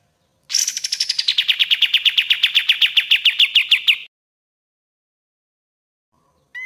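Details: Common iora master song for training birds: a fast, even run of about thirty sharp, slurred notes over three and a half seconds, each note dipping slightly as the series falls in pitch from high to mid, then silence and a brief closing note.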